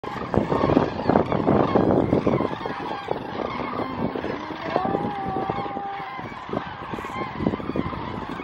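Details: Large flock of common cranes resting in winter in the Horloffauen near Utphe, Wetterau, Germany, 30 December 2021, clear sky and mild weather after a Baltic cold snap; dense overlapping trumpeting and rolling calls, with steady clamour and some clearer drawn-out notes.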